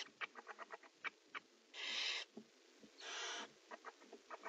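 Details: Rapid dry clicks and ticks from barn owls in a nest box, around prey transfer and mating, interrupted by two breathy hissing screeches near the middle.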